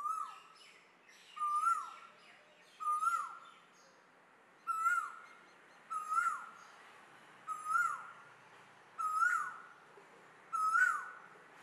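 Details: An Asian koel in India gives eight clear, ringing whistled notes, each with a sharp start and falling tail, repeated about every one and a half seconds over faint background hiss.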